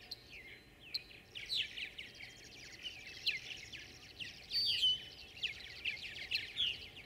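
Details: Several Tree Swallows chatter at once amid high competition for nest boxes, a busy stream of liquid, high chirps and twitters overlapping with no steady rhythm, over a low background hum.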